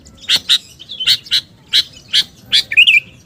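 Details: Sooty-headed bulbul lure call, used to attract birds: sharp, bright chips sounded about every quarter second, several doubled, ending in a short warbled flourish, over faint low background hiss.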